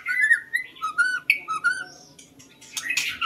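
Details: Lure song of a white-rumped shama: a string of fluty, slurred whistles that drop and rise, followed by harsh, rasping bursts.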